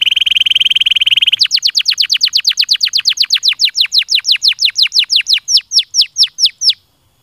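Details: Canary giving a stimulating song: a very fast, even buzzy trill held on one pitch, then a long run of quick downward-sweeping whistled notes, about three per second, that slow slightly before stopping near the end.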